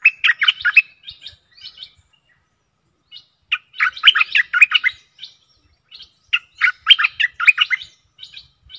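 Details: Stripe-throated bulbul singing, a decoy recording for aggressive wild birds: three separate bursts of rapid, bubbly, chattering notes, each trailing into softer twitters, with quiet gaps between them.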